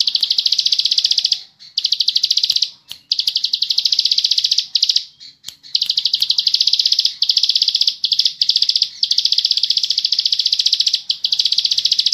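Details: Bar-winged prinia, known locally as ciblek sawah, in a long ngebren song delivered at high speed: dense, rapid trills of sharp ticking notes held for one to three seconds, broken by short pauses and brief clicks.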